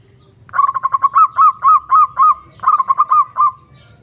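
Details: Zebra dove call used to draw a rival into answering: quick stuttered notes run into a string of longer rising-falling cooing trills, then a second stuttered phrase, over faint low background hum.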